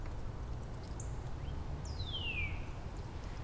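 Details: Neighbouring wild Northern Cardinals at Angrignon Park, March 19, singing variants of a downward sliding theme: a brief faint high note, then a bright whistled slur sweeping smoothly downward for about half a second, with constant low background rumble.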